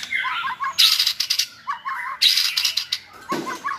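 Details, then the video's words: Training session for a caged white-rumped shama, with good-voiced tutor birds singing to widen its repertoire; three-note whistled figures repeated, interrupted by harsh buzzy bursts. "NÀI CHÒE LỬA | Đào tạo THANH cho lửa chuyền"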